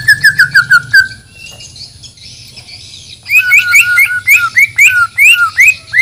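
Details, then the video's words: White-rumped shama from Banjar, Borneo, prepared for a song contest, gives a quick string of repeated whistles, pauses briefly, then bursts into lively alternating high and low whistled notes. "Murai Batu Gacor Full Isian || Murai Borneo Full Emosi"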